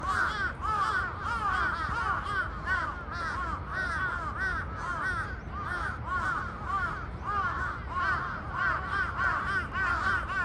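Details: A large flock of crows suddenly raising a din outdoors, many harsh overlapping caws running together in a continuous clamour, about one to two calls a second, with no pauses throughout.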